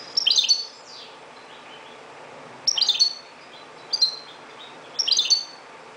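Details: Dawn singing of a Moroccan goldfinch: four bursts of rapid, bright, jangling twitters about every one to two seconds, with quiet hiss in the gaps.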